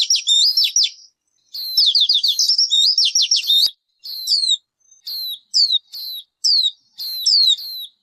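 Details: A loud, high-pitched bird song opens with a rattling trill of down-slurred notes and a longer trilled phrase. Spaced, crisp chirps with short pauses follow.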